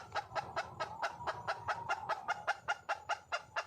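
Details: Calling for a mate, a red junglefowl hen gives a quick string of clipped, resonant clucks, about sixteen in under four seconds, evenly spaced.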